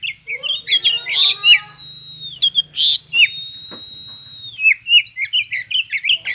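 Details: Oriental magpie-robin delivering 'konslet' song to provoke singing in other magpie-robins: chirpy phrases, then a sustained flat whistle held about two seconds, closing in a fast run of repeated rising notes; low hum behind.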